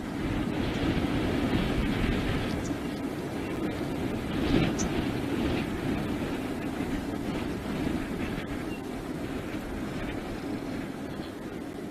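Steady wind rumble and buffeting on the microphone with no clear animal calls.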